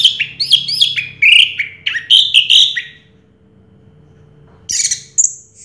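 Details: First-place champion Orange-headed thrush from 2022 delivering a run of rapid, downslurred whistled notes in close succession. A pause follows, then a short burst of high, sharp notes and a thin whistle.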